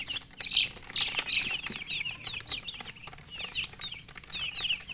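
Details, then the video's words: Baby chickens, colour chicks, peeping because they want to drink water: loud crowded chorus of sharp, high, falling chirps from many birds at once, with a faint low hum beneath. "Murgi chicks Chirping sounds with thirst for drink water"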